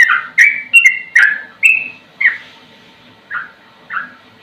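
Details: Sooty-headed bulbul singing a slow yet rapid-fire song suited to tutoring other birds: bright whistled notes, some sliding downward, delivered at a brisk pace at first, then slowing to two spaced, softer notes.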